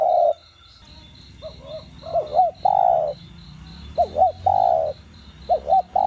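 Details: Spotted dove, or cu đất, cooing in the 'đồng gù + thúc' style to stimulate captive doves. The end of one coo is followed by softer hoots, then phrases of bouncing double notes and long coos, over a rhythmic ticking buzz.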